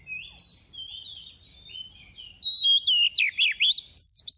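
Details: Female oriental magpie-robin used as a decoy to stimulate males, giving soft warbled phrases that build into loud, sharp whistled notes repeated in quick bursts.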